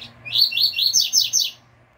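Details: Double-collared seedeater, caged, giving its pure "tui tui" fibra song for training other birds: a fast, ringing series of six high notes, each a quick upslur, packed into roughly one and a half seconds.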